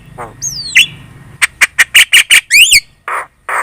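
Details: Lure song of a very chatty Javan myna, meant to make other birds reply: high whistled slurs, then a rapid run of about six harsh squawks, more upward whistles, and two hoarse rasps.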